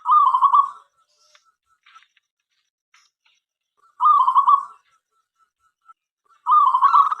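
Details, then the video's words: Local zebra dove singing to draw other doves into song: three short rolling, trilled coo phrases under a second each, separated by quiet gaps of about three and two seconds, with faint clicks between. "perkutut lokal gacor suara MENGGODA apapun jenisnya 5 detik nyaut."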